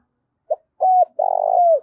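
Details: Spotted dove coo sequence used to stir doves into calling: a short soft note, a flat coo, then a long throbbing coo that dips at the end. The phrase is cut short before the last note.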